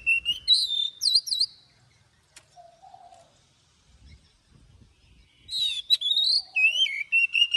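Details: Morning forest-voice song of an Oriental magpie-robin in training, with long notes: looping high whistles, then a pause with a faint low cooing call, then another burst of varied rising and falling whistles.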